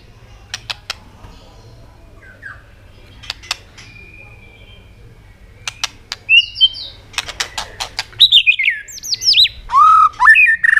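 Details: White-rumped shama singing to provoke other birds to sing, with sharp repeated tail-clicking snaps; scattered broadband clicks early, then a burst of whistled, slurred phrases and rising notes toward the end over a low steady hum.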